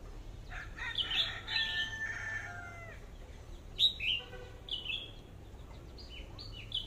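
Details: Red-whiskered bulbul used as a lure bird, one of a pair, with an 'AK' style voice: rich warbling whistles early, then sharp bent notes, amid faint chirping of other birds.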